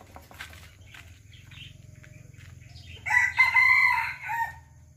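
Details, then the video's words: Serama rooster gives a bright, strained crow lasting about 1.5 seconds, starting after three seconds of low background hum and faint scattered sounds. "SERAMA CROWS || SERAMA BERKOKOK GAGAH"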